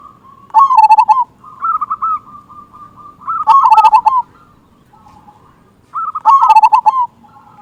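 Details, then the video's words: A local zebra dove with a strong 'kung' voice, kept as a lure to stir silent birds into song. Bubbling, stuttering coos form three loud phrases roughly every three seconds, joined by quieter trilled coos. "Perkutut Lokal Gacor Suara Kung Besar Pancingan Burung Perkutut Agar Bunyi"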